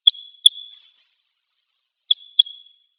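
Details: Red Crossbill at a pine grove behind a school on Hegura Island, Japan, come to drink water, giving sharp, high 'kip-kip' notes in pairs about two seconds apart, with a ringing tail; otherwise quiet.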